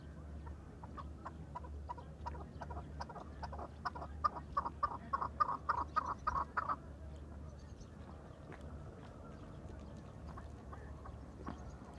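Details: Farmed chukar partridge producing a quickening series of chuck notes that builds to a loud burst around mid-clip, then fades to a few scattered notes over faint hum.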